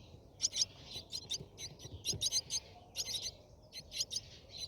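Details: Brahminy starling at its nest during feeding: softer clusters of high, rasping chirps at an irregular rhythm, with faint low knocks and background hiss.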